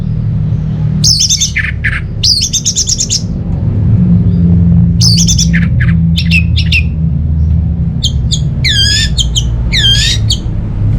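Orange-headed thrush singing loud, varied phrases of rapid chattering notes and clear rising and falling whistles, with pauses between bursts over a steady low rumble.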